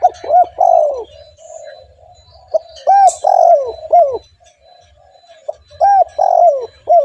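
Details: Spotted dove, a gacor caller used as a lure for other doves, gives loud arched coos in bursts of three or four, a long sliding coo in each group, with soft continuous background cooing between phrases.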